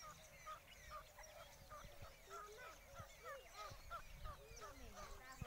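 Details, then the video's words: Pet grey francolin fighting three wild francolins: a tangle of short, harsh, overlapping calls, about three per second, irregular, with rising and falling tones over low rumbling background noise. "teetar ki aawaz"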